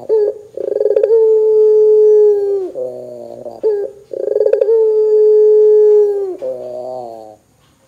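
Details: Barbary dove calling loudly in gacor style to spur other doves into calling, delivered twice: each call a stuttered roll, a long steady low coo of about two seconds, and a rasping lower close.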